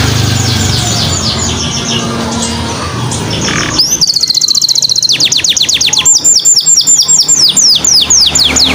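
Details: Canary song used as a lure to make other birds sing, for hens or males: after a noisy, muffled start, loud rapid trills of sweeping high notes and fast repeated chirps take over.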